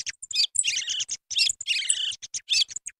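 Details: Song thrush (Turdus philomelos) singing, a hunting lure recording: loud, bright phrases of quick high notes, with similar short motifs given twice within a few seconds and brief gaps between them.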